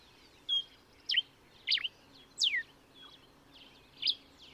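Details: Common diuca finch singing in Chile: short, clear whistled notes, some swooping downward, given singly about every half second to second against a quiet background.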